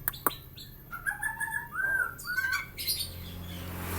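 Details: Javan myna with white eyes giving clear whistled notes that slur up and down, with a few sharp clicks and chirps, over a low steady background hum.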